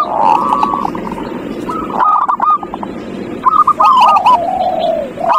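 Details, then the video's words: Lure recording of zebra dove cooing to coax a lazy dove into song, with several bubbling trilled coo phrases separated by brief pauses and a low murmur underneath. "Pancingan perkutut paling ampuh | perkutut males bunyi"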